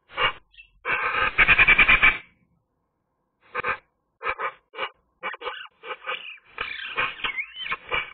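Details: Eurasian magpie singing on a sunny day, recorded by camera: a loud grating rattle, a pause, then a varied string of short harsh chacks and nasal notes ending with a rising and falling whistle.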